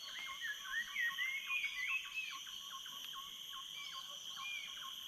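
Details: Wild jungle birds singing at dawn from the dock at Tanjung Harapan in Tanjung Puting National Park, Indonesia: a rapid stream of short chirps and rising whistled notes, densely overlapping, above a steady high-pitched insect drone.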